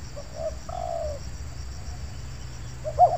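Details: Spotted dove cooing at an oil palm plantation during a bird-luring session: two quick soft notes and a drawn-out mellow coo, then another short coo phrase near the end, over a steady low rumble.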